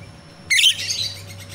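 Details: Wild jalak rio-rio myna, recorded as a lure for captive training birds: one loud, harsh, buzzy screech with a brief whistled edge, fading into a softer rasp, over a low hum.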